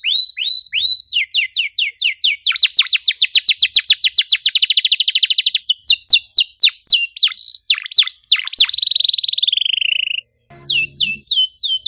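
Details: Canary in long continuous song, accelerating from slurred whistles into a rapid rolling trill, then a sustained buzzy warble that drops in pitch before a short pause and fresh whistles.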